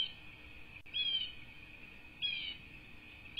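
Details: Bald eagle nest holding two chicks on a cattle ranch in Southwest Florida, USA, 5-2-24: two sharp, high, slightly wavering chirps over a constant high hum, with a brief click between them.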